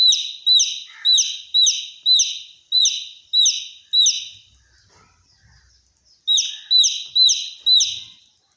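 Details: Baby chick calling like a fire alarm, a fast run of seven loud, high, piercing peeps, then a short near-silent pause with faint low thumps, then four more identical shrill peeps.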